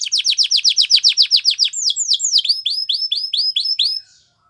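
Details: Training song from a Belgian canary: a fast series of falling whistled notes, then slower swooping, rising-and-falling syllables, stopping abruptly after about four seconds.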